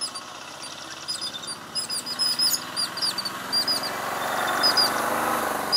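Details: Yellow-billed Babblers mob a rock python in the morning in Anantapur district, Andhra Pradesh, India. Several birds give rapid, high, squeaky alarm chatter together over a steady rushing background that grows louder toward the end.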